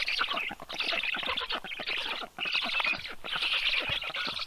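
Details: At a Black stork nest in Karula National Park, southern Estonia, 7:05 am, 30 June 2023, the female delivers fish to her chicks; harsh rasping chatter comes in surging bursts with brief gaps, recorded by a nest camera.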